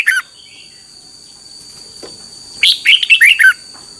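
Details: Red-whiskered bulbul morning song, 2021, used for training birds: a brief note, a long quiet gap, then a lively phrase of five or six bubbly, falling notes, with a constant faint whine.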